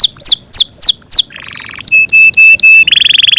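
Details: Caged Yorkshire canary in long melodious song: loud downward-sweeping whistles, a softer buzzy rattle, sharp flat piping notes, then a fast high trill at the end.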